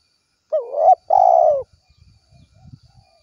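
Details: Spotted dove in 'kuk 1' style calling to companions: a rising, wavering coo, then a long level coo that falls at the end, followed by soft low thumps.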